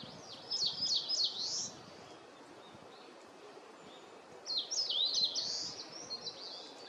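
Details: Eastern crowned warbler singing from far off high in a tree; two bursts of thin, high, rapidly slurred notes about three seconds apart, against steady background noise.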